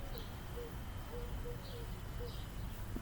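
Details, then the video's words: Mourning Dove cooing outdoors in the background: soft, low, hollow notes in a loose series, each short and level, spread across three seconds over steady broad background hiss. "Can you hear that mourning dove?"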